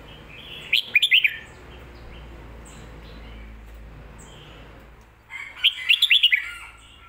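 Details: A red-whiskered bulbul sings its 'pad kuay tiew' or 'mae bot' style phrase twice, about five seconds apart: quick clusters of clear, jumping whistles over a steady background hiss.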